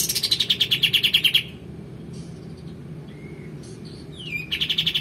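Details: Male white-eared bulbul singing actively, kept as a master song for training magpie-robins and kacer: a fast loud chatter of repeated high notes, a pause, a thin slurred whistle, then the rapid chatter again.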